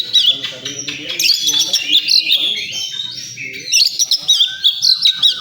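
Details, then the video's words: At a bird-singing contest ground, an oriental magpie-robin pours out fast, jumbled whistles and chattering notes, then pauses briefly before resuming with crisp chirps and sweet slurred phrases; faint low murmuring below. "Suara kacer di area lomba"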